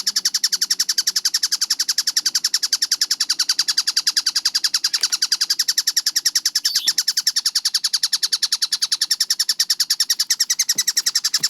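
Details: Tengkek buto, a kingfisher, calling steadily on a fast training track. A dense, continuous string of harsh, buzzy notes at about three and a half per second, with a few faint clicks in the background.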